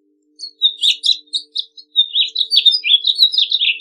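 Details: Bright, fast warbling from a house finch, a tumbling series of sweet slurred notes that runs without a break to the end.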